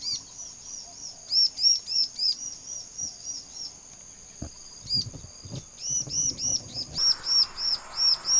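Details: Bar-winged prinia singing loudly and persistently: very high, clipped arching notes repeated in quick series, with pauses and some background rustling and knocks between phrases.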